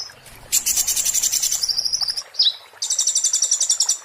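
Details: Oriental white-eye giving a 'muntah beling' style song, used as a tutor recording for magpie-robins: dense high twittering bursts, a short buzzy run, a quick downslurred note, then another steady shrill trill.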